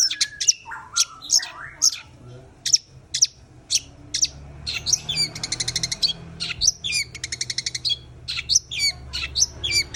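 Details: Long-tailed shrike singing hard: spaced sharp chirps and downslurred whistles, then a run of rapid evenly spaced ticking notes, followed by more varied chattering phrases and high squeaks.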